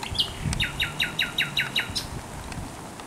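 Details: Thrush nightingale singing by the Żerań Canal, 24 April 2022: after a brief introductory note, seven evenly spaced, sharp downslurred notes repeated about every quarter second, with low background rumble.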